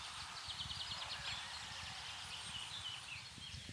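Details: Common chaffinch singing in spring countryside of central France on 24 March 2012: a quick run of bright, high notes tumbling downward, over steady low wind rumble and rustling.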